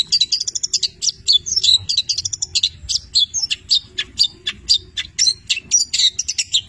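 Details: Long-tailed shrike, Petir type, in active song richly filled with labet and canary imitations. Continuous high, fast chattering mixed with short whistled notes and quick pulsed chips.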